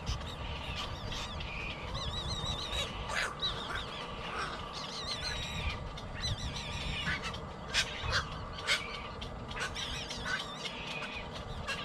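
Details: Baby bird begging until it falls asleep: high, quavering whistled cries cluster in the first half, then give way to sparse sharp clicks and taps over a constant low rumble.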